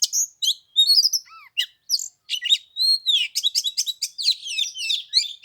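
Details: Oriental magpie-robin singing as a fighting lure during Tet in chilly 15-degree weather: dense, continuous high chattering song of rapid chirps, slurred whistles and downward-sweeping notes, almost without pause.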